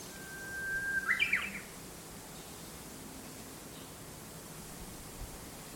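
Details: Bird singing at sunrise in a large false acacia tree beside a house in town. A thin steady whistle runs into a quick jumbled twittering phrase, then falls quiet against steady background hiss.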